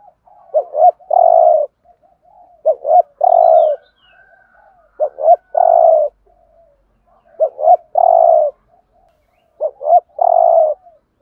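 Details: Spotted dove, 'Thổ'-voice 'thúc gù' cooing used as a decoy for trapping birds: paired short rising notes, each followed by a drawn-out mellow coo, in four phrases spaced roughly two to three seconds apart, with soft murmurs between.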